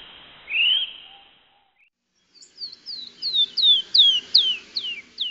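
A wren gives a single rising whistle, then after a pause a quick run of about ten high, sliding notes, roughly three per second.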